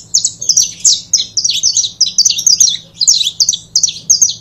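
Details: Nonstop rapid chatter of high, downslurred chirps from a saffron finch pair used for 'foguear', the notes bunched in quick groups of two or three throughout, a low hum in the background.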